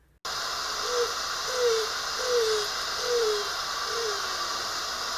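Greater Roadrunner giving five low, dovelike coos, each sliding slightly downward, spaced about every three-quarters of a second over a steady hiss.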